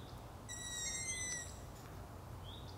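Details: A young long-eared owl (Asio otus) at night gives a long, thin, squeaky whistle sliding slightly downward, then a fainter rising squeak, over a low background hum.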